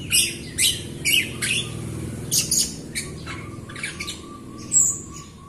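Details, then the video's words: A Jalak Rio myna sings busily as a lure for other Rio birds: a string of harsh squawky chips and scratchy notes, then softer bursts and a final high whistle, over low background noise. "JALAK RIO GACOR untuk pancingan RIO RIO BAHAN OMBYOKAN & MALAS BUNYI"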